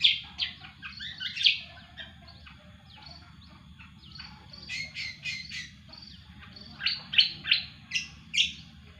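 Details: Cucak kombo in full song: quick clusters of high, sharp chirps and whistles come in bursts separated by quieter stretches of softer, thin notes, with low background noise throughout.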